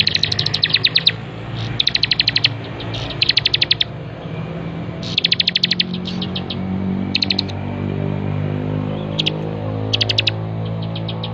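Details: Bar-winged prinia in active song for bird training: short, sharp bursts of high ticking notes, repeated at irregular intervals and fading later, against a steady low humming background.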